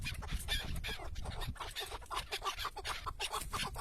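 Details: A decoy chukar partridge, tied down during hunting in natural terrain, calls in rough, clucking chuck notes repeated several times a second, mixed with heavy low wind noise.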